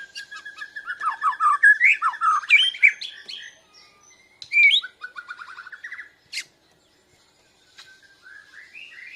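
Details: Young Bornean white-rumped shama in song practice, responding to a lure recording, breast feathers puffed; rapid tumbling twittering and whistles, then a quiet pause, a sharp click and soft rising notes.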